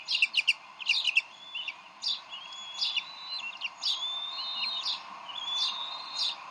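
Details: Bald eagles at their Decorah nest, 30 May 2012, dispute a fish before the female feeds the eaglet. Short staccato pips open the clip, then longer level whistles follow at intervals.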